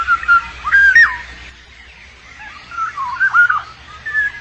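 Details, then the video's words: Black-naped oriole while raising chicks, giving mellow fluting whistles with rising and falling slurs, a strong phrase near the start followed by softer, looser whistled notes, over a faint low hum. "꾀꼬리 울음소리 #꾀꼬리 육추"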